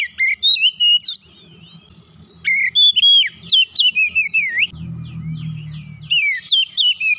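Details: Whistled gacor song from an Oriental magpie-robin coaxed back into singing: rapid loud phrases of swooping and looping notes, short pauses between bursts, and a low droning hum partway through.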